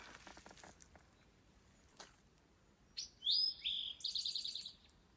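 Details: Eastern Towhee, a male, singing along the Appalachian Trail, rendered as 'drink your tea'; after faint rustles, a sharp high note, a long whistled slurred tone and a fast buzzy trill of repeated notes.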